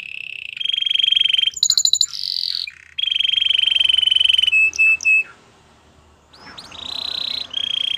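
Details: Belgian canary song used for training canaries: long, steady, trilled tones, broken by short bursts of quick high notes, a pause, then further sustained trills.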